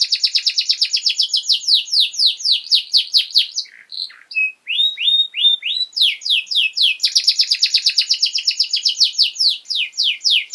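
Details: Long-duration canary song meant for training young birds: rapid rolling trills of descending syllables, a short pause with a few pure whistles, then steady downward-sweeping notes leading into another fast, bright trill.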